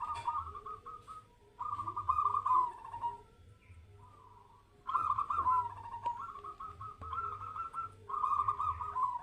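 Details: Zebra dove (perkutut) song during a mental test. Repeated phrases of fast, bubbling coo notes at a steady mid pitch, with brief gaps and one longer pause between bursts. A low hum continues throughout.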